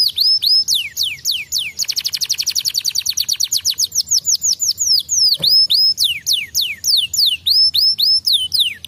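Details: Canary pouring out loud song: repeated downward-sliding whistles, then a very rapid even trill in the middle, then more swooping slurred notes in quick succession.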